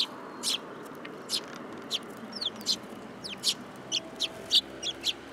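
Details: Sparrows hopping onto a person's hand at a Tenmangu shrine on 8 July 2022, giving crisp repeated chirps and a few short downslurred notes, fairly evenly scattered across five seconds over steady background noise.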